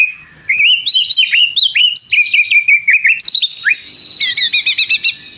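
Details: White-rumped shama in full, energetic song: fluty whistled notes stepping up and down in a flowing phrase, a deep swooping slur, then a fast burst of sharp repeated chips.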